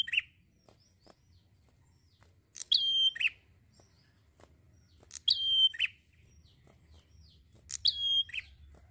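A prinia gives three sharp, high, ringing phrases of quick chipping notes, spaced about two and a half seconds apart, over quiet low background hum.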